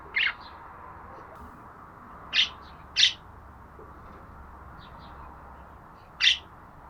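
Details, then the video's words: Budgerigar uttering four short, high chirps, two of them in a quick pair, separated by longer pauses over soft background noise. "Muhabbet Kuşu Ötme Sesleri"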